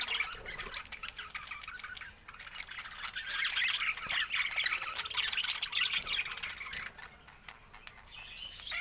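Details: Budgerigar chatter starts quietly, swells into a loud, dense stretch of rapid scratchy warbling in the middle, then thins out again.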